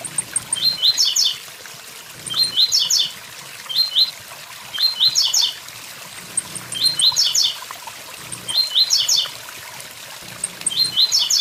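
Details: Tiziu, the blue-black grassquit, repeating its short buzzy song of rising chips six times in about eleven seconds, each burst evenly spaced, with waterfall rush and high ticking calls beneath.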